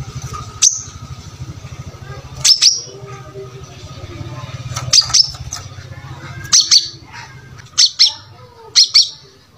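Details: Brown-throated sunbird singing actively, a recording meant to teach other birds: sharp, very high single and paired chips every one to two seconds, over a continuous low hum.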